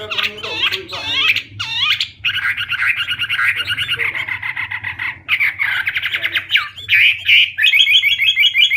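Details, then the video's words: Hwamei in full, loud song: opening with harsh descending sweeps, then long rapid buzzy trilled phrases, broken by brief pauses and finishing with bright trills; steady low hum in the background. "Hwamei/wambi gacor full isian suara keras jernih"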